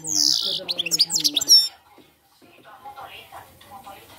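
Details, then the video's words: Short phrase of campero-style goldfinch song, a buzzy rasping note then quick bright twittering chirps lasting under two seconds, followed by quiet room sound and faint murmur. "jilguero cante campero"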